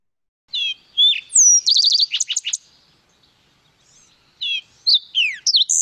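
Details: A Green-tailed Towhee from the Lake Tahoe area sings clear slurred whistles leading into a rapid buzzy trill, a pause, then another phrase of sweet notes and sharp downslurred whistles.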